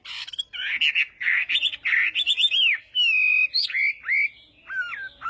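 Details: Morning singing of a Chinese hwamei, sung as fighting song for voice training: varied bright whistles, short trills and downslurred notes in quick, irregular phrases with brief pauses, clear and loud against a quiet background.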